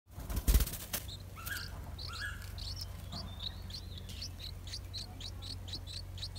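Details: Yellow-vented bulbul chicks, 8 days old in the nest, beg with thin, high chirps about three times a second as a parent arrives with food, after a burst of fluttering wings and a few lower notes, over a low hum.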